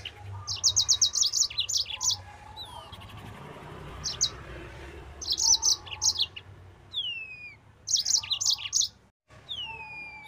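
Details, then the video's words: Full-speed 'nembak' song of a yellow-fronted canary, meant for teaching other birds: short clusters of quick, sharp high trills separated by brief pauses, plus curving descending whistles near the end, over a soft low background hum. "Burung Mozambik Gacor Suara Nembak Full Speed."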